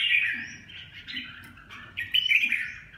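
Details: A red-whiskered bulbul sings warbled and whistled notes, a quieter middle stretch then a louder burst near the end, with a soft low rumble behind.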